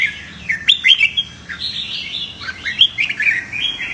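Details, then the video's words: A red-whiskered bulbul (chào mào) gives competitive fighting song, bright warbling phrases of quick rising and falling whistles in bursts about every half second, with no other sounds. "Chào Mào Hót Đấu - Luyện Chào Mào Đấu Lên Lửa"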